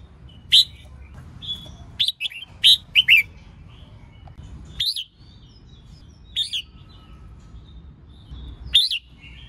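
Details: Red-whiskered bulbul hen singing to provoke males into song, a chattering 'hót ché' style. Scattered, sharp whistled notes and short slurred phrases, some in a quick cluster, separated by pauses.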